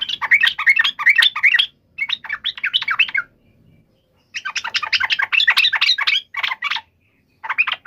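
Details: Agitated yellow-vented bulbul calling in a provoking, combative style: dense, scratchy, bubbling phrases in bursts of one to two seconds, with gaps between them and a final short burst.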